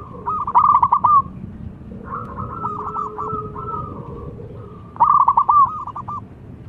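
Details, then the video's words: Local wild-type zebra dove singing actively, its voice said to stir other zebra doves into song: two loud stuttering, trilled coo phrases, with a softer dove cooing in between over steady background hiss. "SUARA PERKUTUT BIKIN RAMAI PERKUTUT LAIN"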